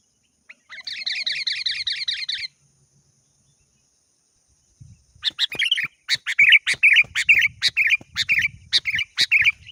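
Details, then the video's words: Sooty-headed bulbul calling a rival, a steady buzzy rattling trill for nearly two seconds, a pause, then a long series of sharp chirps and clipped notes, with faint low thumps behind. "Suara burung kutilang gacor memanggil lawan"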